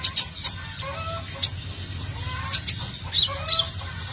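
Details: Olive-backed sunbird in lively song, used as a lure to bring birds close: high sharp chirps and ticks in irregular clusters, with some lower clear whistled notes between, and a constant low hum.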